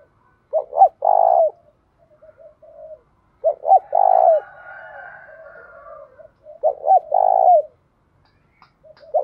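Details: Caged decoy spotted dove used to provoke wild doves to coo: low, mellow coo phrases of two short notes and a long drawn coo, repeated roughly every three seconds, with a faint higher dove coo overlapping the middle phrase and soft murmurs between.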